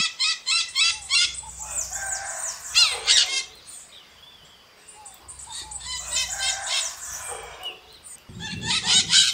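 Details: Maritaca parrot shrieking in loud, harsh clusters of rapid scratchy notes, several bursts in a row with quieter gaps, and faint low hum underneath.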